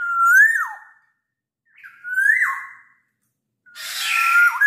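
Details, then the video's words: Black-naped oriole in full night-time song: two clear whistled phrases rising and then dropping sharply, about two seconds apart, followed by a harsher, noisy rasping phrase with a thin whistle running through it. "Burung kepodang emas gacor di malam hari"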